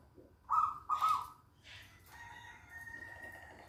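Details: Local zebra dove in active song: two loud, quavering coos, followed by a sustained, even tone lingering behind.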